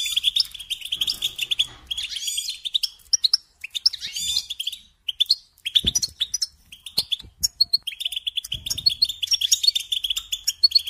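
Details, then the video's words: Bright, jumbled goldfinch twittering: fast chirps, nasal buzzes and trills in phrases broken by short pauses, with occasional soft low knocks. "Singing Along with Goldfinches"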